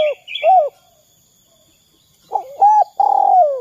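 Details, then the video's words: Brief spotted dove 'kuk 2' coo, used to prompt other doves to call: a couple of arched hoots with high chirps, a pause, then quick hoots rising into a long falling coo. "Suara Derkuku kuk 2"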